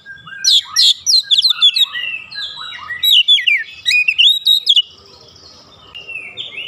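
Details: Agitated Oriental magpie-robin unloading filler song: a dense run of sharp chirps and swooping whistles for about five seconds, then quiet hiss.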